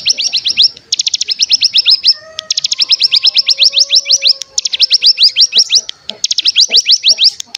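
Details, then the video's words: Lure recording of mountain tailorbird (cigun) song to make birds sing: long, dense trills of quick, high, down-slurred notes in three runs, with faint lower whistles between them. "Pancingan Cigun Bahan Agar Bunyi Langsung Ngebren"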